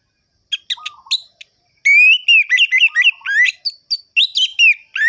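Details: Lure song of an orange-headed thrush in the ngerol-ngeplong style: a few sparse chips and a low rolling phrase, then a loud continuous torrent of rising whistles and twittering notes.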